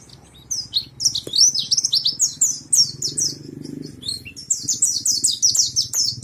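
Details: High, fast chattering warble from a caged East Lampung pleci monty back in full song, with quick downslurred chirps strung together almost continuously over a soft low hum.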